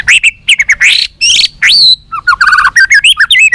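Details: White-rumped shama song used to make captive birds more responsive and fighting: loud varied phrases of sweeping whistles, slurred upward notes and rapid chattering elements, dense and continuous throughout.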